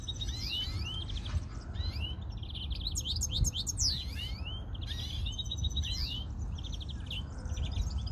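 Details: Busy greenfinch chorus with long buzzy trills alternating with sweeping upslurred whistles, nearly without pause, low rumble underneath.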